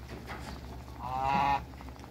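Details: African and Toulouse geese in a backyard, bred together for a hybrid, give one rising, harmonic honk lasting about half a second over steady low hum.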